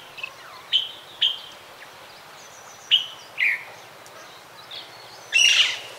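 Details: Common linnet (Linaria cannabina), song.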